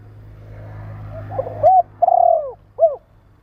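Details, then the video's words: Spotted dove call meant to stimulate and train birds: a low background rumble, then a single cooing phrase of a hooted note, a drawn-out rolling coo and a short final note. "Tiếng chim cu gáy kích bổi,tập bổi nhanh nổi hiệu quả"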